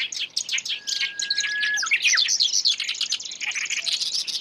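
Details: Black-browed reed warbler filmed as it catches an insect, giving dense, high, scratchy chattering notes that tumble rapidly, with a steady whistled tone held for about a second partway through.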